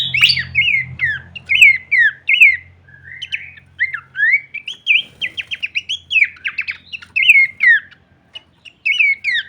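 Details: Horsfield's babbler, full-variation kleperan song used to train songbirds: long series of curling whistled notes and brisk chattering phrases, fairly continuous, with a soft low drone early on.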